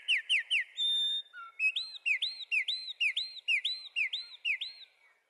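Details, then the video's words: Wren singing: three quick bright notes, a long steady high whistle, then a run of about nine loud, clear, hooked whistled phrases repeated at a brisk even pace, with a quiet background. "Wrens bird Singing"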